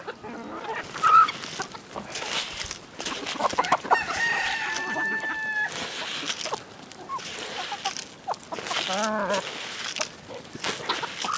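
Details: Village chickens at a farmyard: a rooster's long crow early on, followed by hen clucks and a quick rippling cackle near the end, with thumps and rustling.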